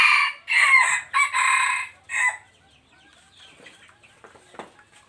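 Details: Three-year-old wild red junglefowl crowing on 26 January 2023, loud and close: four harsh, clipped syllables in about two seconds, the third stretched longest, then quiet with faint rustling and distant bird chirps.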